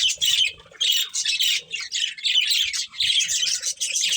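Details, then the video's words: Breeding pair of budgerigars chirping: dense, scratchy high chatter in bursts lasting about half a second to a second, separated by brief gaps, with faint low thumps beneath. "Cute Budgies Chirping Sounds"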